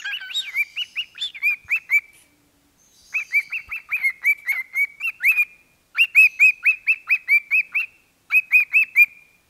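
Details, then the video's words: Pet parrot singing into a microphone: bursts of clear whistled notes, each a short hooked rise and fall, repeated in rapid runs of five to eight with brief pauses between phrases. "Discovering Riki's singing talent: Memorable songs on the microphone"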